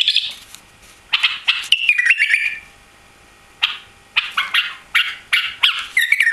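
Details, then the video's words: White-eared bulbul, a newly arrived caged bird with no tail, singing bursts of bright warbled phrases with sliding whistled notes, separated by short pauses. "White-Eared Bulbul Song"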